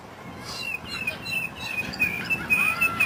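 A mockingbird sings thin, high whistled notes in quick, varied phrases, several slurred and repeated, over a soft steady background hiss.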